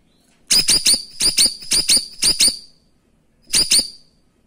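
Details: Cream-striped bulbul, locally cucak rawis, giving its 'tembakan' shot-style song, used as a master recording for tutoring champion songbirds: loud, harsh, broadband bursts in rapid pairs and triplets, a pause, then one more double burst.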